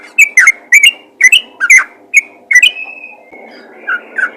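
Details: Yellow-vented bulbul calling to other bulbuls: bursts of short bubbly whistled notes near mid-high pitch, paired and repeated irregularly, with a longer drawn-out whistle after three seconds and softer notes at the end.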